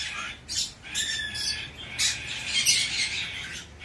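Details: Young hand-tame Bourke's parrot, Fukuoka, Japan, 10 September 2024: a string of scratchy, raspy chirps and squeaks running almost continuously, with slight murmuring noise underneath.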